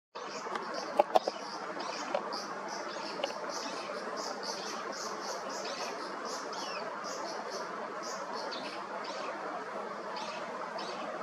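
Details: A newly fledged young Brown-eared Bulbul (Hypsipetes amaurotis) gives thin, high, scratchy notes about twice a second, steady throughout, over a constant low rushing background noise.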